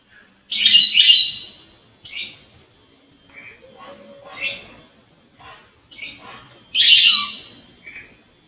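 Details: Aviary-kept bar-winged prinia producing loud scratchy, buzzy bursts and short chips in irregular bouts, with faint low sounds between them.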